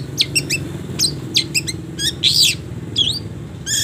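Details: Long-tailed shrike training song meant for teaching caged birds, with frequent pauses: clipped high chirps in short clusters, then a loud harsh rasping burst and a falling whistled note, steady low hum behind.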